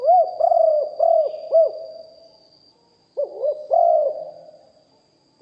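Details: Spotted dove used to call wild doves, deep-voiced, live recording: a phrase of four mellow rising-falling coos, a brief pause, then three more low rounded coos, faint constant high hum behind.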